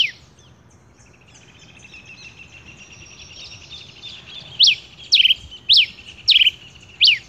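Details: Male rufous-collared sparrow: after about four seconds of faint, thin high notes and quiet background, loud clipped descending notes follow in a regular series, about two per second. Some notes carry a short trilled tail.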